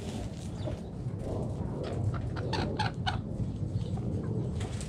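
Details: Backyard hens clucking while dust bathing in the dirt; a quick run of sharp, stacked clucks comes near the middle, set against constant low rumbling background noise.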